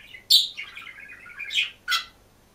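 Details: Green budgerigar alone in a cage, singing and chirping: a sharp opening note, then a continuous wavering warble at mid pitch, ending with two bright chirps.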